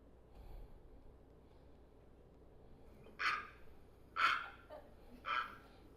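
A great blue heron gives three harsh, hoarse croaks, each brief and about a second apart, over a faint steady room hum.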